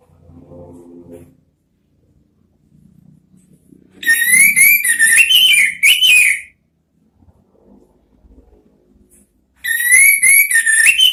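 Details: Orange-headed thrush singing in the ngeriwik style, used as a lure recording to draw out the ngeplong sound: two loud, wavering whistled phrases with rising and falling notes, separated by quiet low rumbling background noise.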